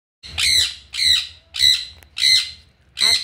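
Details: A young pet sun conure, its body turning yellow, gives five harsh, piercing screeches, each about half a second long, repeated roughly every 0.7 seconds, screaming constantly.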